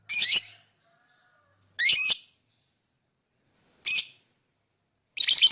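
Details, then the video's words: Lovebird calling with four loud, grating, high-pitched squawks spaced roughly two seconds apart, each a brief rasping burst, with silence between. "lovebird singing & chirping sound"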